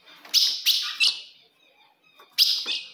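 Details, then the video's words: Provoking call of a female ultramarine grosbeak aimed at a male: three quick, sharp chips, a quiet pause, then another bright chip with a faint trailing note. "se o seu azulão não segura fogo de fêmea"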